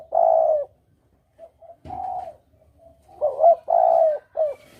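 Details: Lure call of a spotted dove, a clear double-coo style used for hunting: a long hollow coo, then softer short notes, a further drawn-out coo, and a quick stuttering two-part phrase ending in another long coo.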